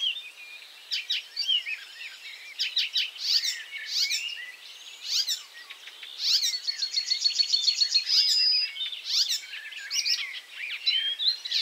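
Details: Icterine warbler singing between moving to a new perch and catching a caterpillar: a loud, varied high-pitched medley of chattering notes, sharp chirps and a buzzy repeated trill near the end. No other sounds intrude.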